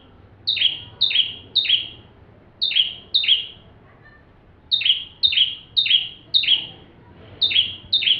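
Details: Bar-winged prinia full song for tutoring magpie-robins: clear, piercing notes that slide downward, in clusters of two to five, with a longer pause midway.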